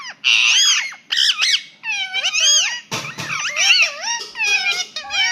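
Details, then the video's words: Pet Indian ringneck parrot mimicking a cat's meow: a run of bright, bending whistled and nasal notes, several swooping up then down, in quick bursts separated by short gaps, with a rougher, noisier squawk near the middle. "PARROT SAY MEOW"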